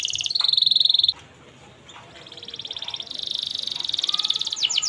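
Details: Canary tutor song for young canaries: a fast buzzy trill stops abruptly, a second of background hiss follows, then a pulsing trill returns and grows louder.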